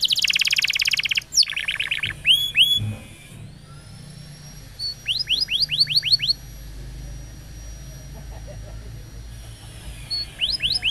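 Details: Canary song for training other canaries: a buzzy trill and a few short bursts of falling whistled notes separated by long quieter gaps holding a faint steady whistle.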